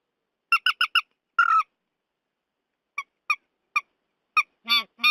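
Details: Purple swamphen calling for a night-netting lure: a fast run of four squeaky squawks, a drawn-out harsh note, spaced single squawks, then two longer low wailing honks at the end.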